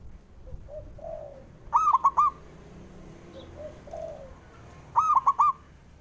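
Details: Male zebra dove calling, a sound used to stir slow-singing doves into calling: two short bursts of quick, stepped staccato coos about three seconds apart, with soft murmuring background sounds between them.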